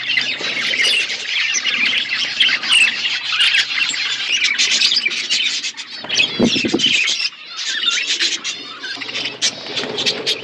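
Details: Flock of budgerigars eating winter food, giving dense, continuous high chirping and squawky chatter from many birds at once, with a short lower, noisier burst around the middle.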